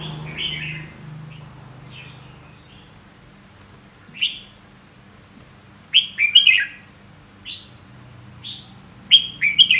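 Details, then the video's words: Red-whiskered bulbul singing: short bright whistled phrases of three to four notes, rising then falling, given in scattered bursts with soft single notes between and quiet pauses. "Giọng hót chào mào"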